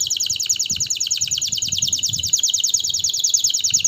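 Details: Canary delivering a steady, rapid trill of repeated downslurred notes, about a dozen per second, high and bright, with faint low rumbling underneath.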